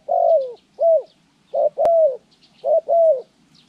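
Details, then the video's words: Decoy spotted dove in trapping training, January 14, 2020, calling to lure wild doves: three paired coos, each a short clipped note followed by a longer drawn-out hollow coo, the pairs about a second apart. A sharp click sounds midway. "pikat Terkukur trianing - របៀបបង្ហាត់លលកធ្នាក់ដី"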